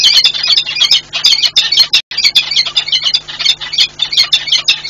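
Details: Pair of wild peregrine falcons at their nest site among industrial chimneys in Płock, Poland, 7 March 2022, raising alarm though no intruder is visible; harsh, rapid squealing calls repeated in dense bursts throughout, with one brief break.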